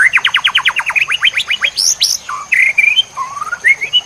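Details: Masteran recording of White-rumped shama song for training songbirds, full-fill version: quick series of about fifteen steep rising notes, two piercing high upsweeps, then mellow slurred whistles. A constant high electronic tone is present.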